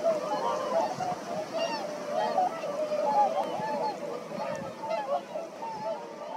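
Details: Whooper swans at Præstesøen call over one another in a steady chorus of hoarse, bugling honks, some rising and some falling, with no pause between them.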